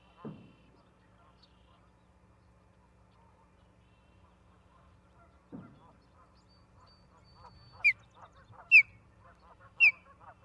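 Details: Osprey nest in Charlo, Montana, 17 August 2023, live camera: low thumps and soft chatter, then three loud high down-slurred whistled chirps near the end, roughly one per second.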